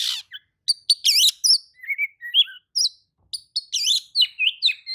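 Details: Oriental magpie-robin singing in reply to another magpie-robin, a rich, rapid run of loud whistles, looping warbled notes and sharp high chips, phrases tumbling almost continuously with brief gaps.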